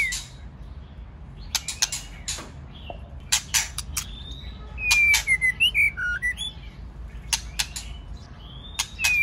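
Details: White-rumped shama, male 'tạch' singing accompanied by a female, played to stimulate singing: scattered sharp clicks and rasps, then a burst of quick whistled, sliding and twisting notes, followed by more clicks and a final whistle.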